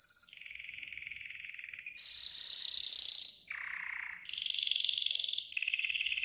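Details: Yellow golden canary training song with a series of trilled tours, each held about a second, jumping between higher and lower pitches, with a buzzy low section in the middle.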